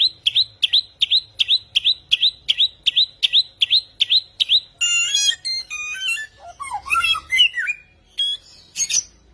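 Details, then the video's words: Vigorous samyong singing: a run of rapid, identical high upswept chirps, then a change into varied whistled notes, stepped tones and twisting rising and falling phrases. "Burung samyong gacor 1001 suara"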